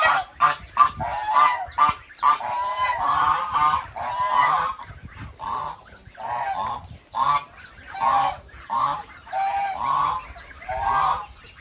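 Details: Goose calling at length: a long, steady stream of nasal honks, fast and clipped at first, then more spaced, regular honks about every second.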